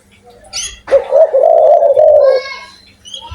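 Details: Spotted dove with a big, loud voice calling energetically: a low, wavering coo held for about one and a half seconds with slight breaks, preceded and followed by fainter, higher harmonic sounds.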